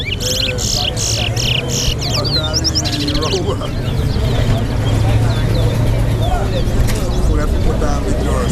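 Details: Competition towa-towa at Lusignan bird ground delivering a fast series of high repeated notes and twisting slurred whistles for about three seconds, followed by people talking and background murmur.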